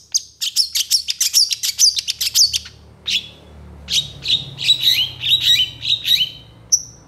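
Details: Long-tailed shrike in full song for tutoring, packed with fill-in phrases and quick to answer rival shrikes; a rapid series of sharp high chirps, a pause, then a repeated string of whistled chips.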